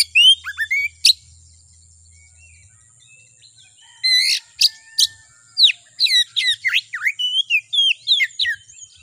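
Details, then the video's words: White-rumped shama song used to stir a kacer into singing: high chips, a pause, then a lively burst of varied whistles and sharp downslurred notes, over a constant high-pitched hum. "Suara Pancingan Kacer Agar Cepat Emosi Gacor"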